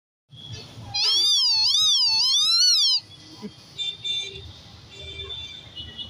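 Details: A common hill myna, said to speak like a human, gives a loud, two-second wavering whistle that swoops up and down like a voice, followed by softer, scattered tonal notes.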